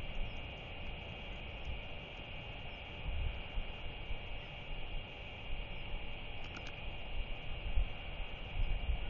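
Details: Steady broadband wind roar with low rumbling gusts throughout and no clear animal voice.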